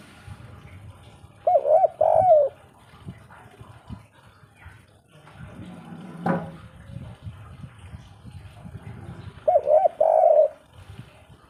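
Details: Spotted dove, known locally as derkuku, giving the 'kuk 3' style call: two short bursts of mid-pitched, bubbling coos several seconds apart, separated by dripping, watery and indoor background noise.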